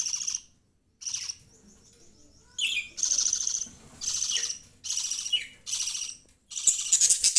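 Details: Young caged budgies alongside rabbits: two short scratchy chirps, a thin warbled note, then a steady series of loud, rasping bursts repeated every second or so.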